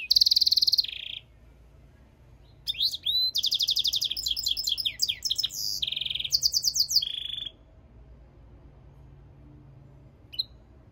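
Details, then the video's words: A European goldfinch and canary hybrid sings a high, varied strophe: a buzzy rattle, then after a pause a long run of quick trills, rolled notes and downslurred chips, ending in a short buzz. "European Goldfinch mule singing - Jilguero Mixto"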